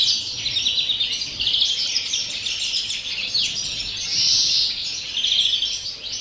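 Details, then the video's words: European greenfinch singing in the pure 'campero' (field) style, recorded on 30 December; a continuous run of twittering, rolling trills with a harsh, buzzy drawn-out wheeze partway through, then more trilled phrases, no other clear sounds. "verderón cante puro campero"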